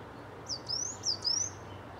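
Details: Mistle thrush in a garden, part of a visiting family with juveniles and parents: two pairs of high, thin, upward-sweeping whistled notes within a second, over quiet low background noise.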